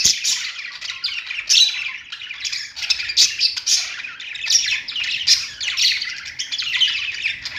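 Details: Continuous budgerigar warbling from birds on a perch, an unbroken stream of scratchy chatter, chirps and squawks with frequent sharp clicks.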